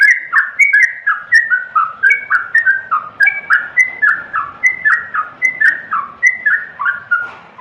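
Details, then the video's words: Continuous yellow-vented bulbul song of liquid, descending whistles. The notes come quickly and evenly, about four per second, and form a cheerful rolling chatter. "suara terbaik burung Trucukan"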